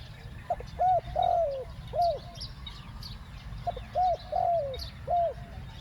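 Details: Spotted dove used to decoy wild doves, delivering two 'ku-ang' style phrases: each a short hook-shaped coo, a longer slightly falling coo and a closing arched note, repeated after a pause, with faint high chirping behind.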